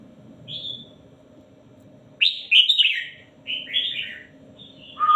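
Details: Red-whiskered bulbul tutor song for phrase counting: a short whistled note, then lively slurred warbling phrases in two bursts, closing on the start of a steady whistle, with low hum in the background.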